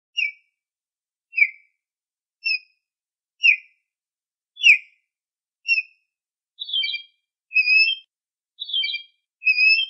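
An osprey gives about ten high, whistled notes, roughly one per second. Early notes slur downward; later ones are sharper, two-part chirps. The background is quiet.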